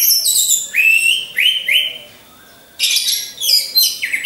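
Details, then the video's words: Orange-headed thrush, caged and hung in a row with others, singing as a lure to train competition birds: rich high trilled phrases and clear rising whistles, a quiet gap of about a second, then more dense twittering. "Pancingan Burung Anis Merah"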